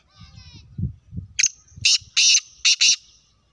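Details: Black francolin giving a rasping, grating call of about five harsh bursts in an uneven rhythm, preceded by low murmuring sounds and a faint high whistle.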